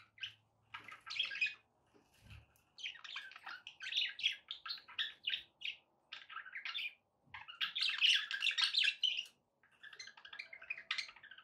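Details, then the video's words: Pet budgies with background noise: long bouts of rapid, high chirping warble broken by short pauses, notes tumbling quickly in scratchy, tweeting runs, with a loud dense stretch near the end. "budgie sounds with background noise for relaxation"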